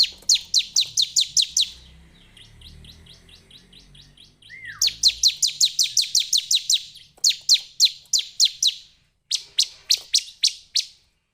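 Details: Repeated rapid trains of crisp, high ticking notes from a Bar-winged prinia (Ciblek), each run lasting one to two seconds and separated by short silences; a single lower, rising whistle briefly breaks in midway.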